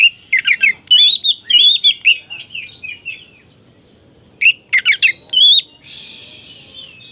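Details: Oriental magpie-robin in full song, meant to provoke aggression and tail-fanning in other magpie-robins; fast whistled and chattering phrases, a pause, then a second burst ending in a hissing rasp.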